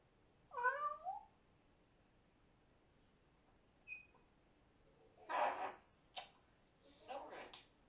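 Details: Pet bird making rude mimicked noises: a wavering, harmonic squawk rising and falling, a short thin whistle, then two harsh, buzzy bursts with a sharp click between, in a quiet room.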